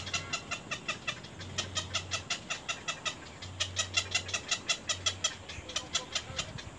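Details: Little egret chicks at the nest, biting hard at their mother: rapid, dry clicking chatter repeated about three times a second in bursts, with a low steady hum underneath.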